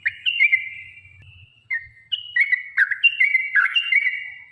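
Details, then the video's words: Yellow-vented bulbul giving a long, rapid fighting song used as a lure to provoke other birds into singing: bubbly whistled phrases, some steady, some dipping, broken by short pauses, with faint low rumble beneath. "trucukan gacor TARUNG ROPEL PANJANG"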